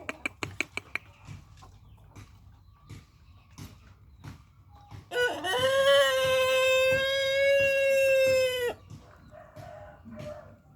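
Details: Chicken crowing while sunned in the morning to help its condition settle and return to good form; a quick run of sharp taps comes first, then one long, steady, richly harmonic crow of about four seconds that cuts off abruptly.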